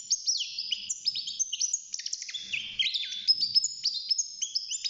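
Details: Caged young male European goldfinch, six months old, in early song: dense, bright twittering of quick high notes, chirps and short downward slides with a buzzy undertone.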